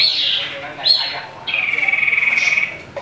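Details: Agitated common iora fighting a rival. Two short, high, falling whistled notes are followed by a long pulsed trill that gradually drops in pitch.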